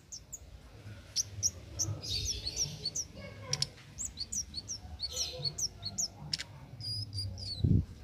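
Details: Cit keres calling without pause in the wild, a master recording for contest birds; many sharp high chips and short sweeping twitters, with low background rumble and a brief thump near the end.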